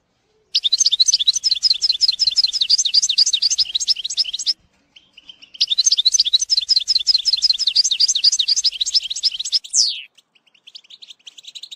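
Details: European goldfinch song for training a young bird: two long runs of fast, evenly repeated metallic twitters separated by a short gap, then a steep downslurred note and softer chirps.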